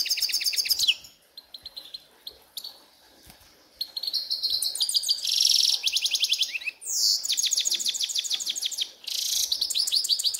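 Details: Grey-headed goldfinch singing in a ravine: a loud, fast, dense twittering of high tinkling notes and buzzy trills, delivered in bursts with brief pauses and sharp, rapidly repeated chips.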